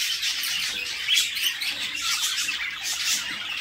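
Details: Continuous raspy, wheezing squawks from budgerigar chicks fed by their mother in a nest box, with a few clearer squeaky notes over the harsh chatter.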